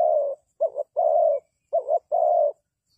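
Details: Spotted dove calling as a lure for trapping. A long croon opens, then two full phrases follow, each a quick double-humped coo and a drawn-out husky note, in a quiet place.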